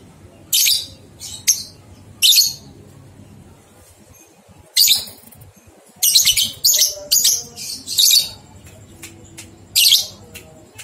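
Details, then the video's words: Ngekek song of a lovebird, recorded as training material for two-month-old young birds: harsh high chatter bursts, a quiet pause, then a rapid cluster of scratchy squeaks and a final burst. "Masteran Lovebird Paud 123 Ketukan Terbukti Ampuh Merangsang balibu 2 bulan Ikut Ngekek"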